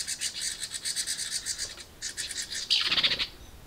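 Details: House wren nestlings in a birdbox begging noisily as a parent brings food: rapid, harsh, buzzy pulses repeated several times a second in two bursts, then a brief louder, higher squeal near the end.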